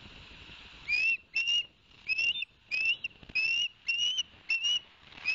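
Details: Osprey whistling at a Barnegat Light nest, captured by live cam on 11 September 2021 around a two-fish delivery by the male; a string of upslurred piping notes, irregularly spaced, roughly two per second.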